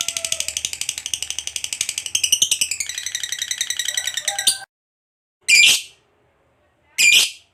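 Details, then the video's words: Lovebird fighter in full ngekek panjang, a long chattering song meant to provoke other lovebirds into answering: a fast, harsh, high-pitched rattle of rapid pulses for about four and a half seconds, then a pause and two short, shrill squeaky bursts. "KICAU LOVEBIRD GACOR NGEKEK PANJANG"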